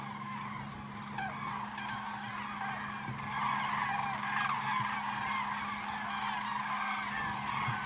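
A flock of cranes calling in flight: overlapping rolling, trumpeting notes blend into a steady clamour, with a low hum underneath.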